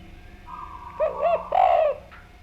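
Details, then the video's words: Spotted dove song, somewhat quieter and farther off: a few brief soft notes lead into two rounded cooing notes and a longer drawn-out coo, with a faint background hum. "Enak Banget Suara Derkuku Gacor Ini"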